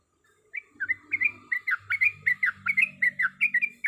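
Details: Yellow-vented bulbul female in breeding condition calling for a male in the rapid 'ropelan' style: a fast, uneven run of bubbly, slurred chirps about four per second, with a faint low hum underneath.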